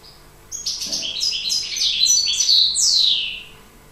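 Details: European goldfinch in breeding condition singing a quick, varied twittering phrase of bright tinkling notes, some slurred and buzzy, running for about three seconds before a descending sweep, with quiet low hum behind.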